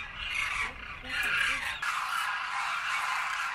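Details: Massed Demoiselle Cranes at a winter grain feeding site in Khichan, Rajasthan; steady wall of overlapping rasping, trumpeting calls from many birds, with a faint human voice and low background rumble.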